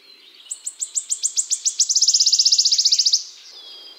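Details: Wood warbler in a Central European forest, Czech Republic, in spring. Its loud song is a high, accelerating series of ticking notes that speeds into a shivering, silvery trill lasting about three seconds.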